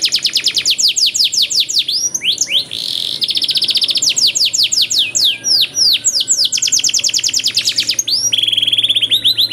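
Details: Canary singing a long training song with luxurious variations: dense rapid trills alternate with swept whistled phrases. A harsher buzzy note comes near the start and a steady held whistle near the end, with a low hum in the background.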